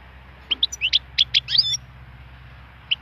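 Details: Wild European goldfinch giving a quick run of about ten bright, high twittering and slurred notes in just over a second, then a pause before two more chirps begin.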